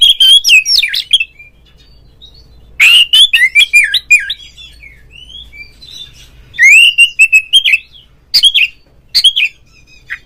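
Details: Oriental magpie-robin lure song to provoke a rival so a kept bird sings and fans its tail; loud bursts of harsh buzzy notes and varied whistled slurs, repeated in several phrases with short silences.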